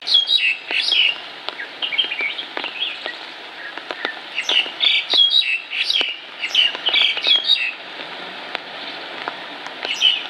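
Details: Fledgling Black-collared starling standing on a cycling track, begging its mother for food while she flies between nearby trees before feeding it: harsh, squawking chirps in rapid clusters recurring throughout, with sharp clicks between.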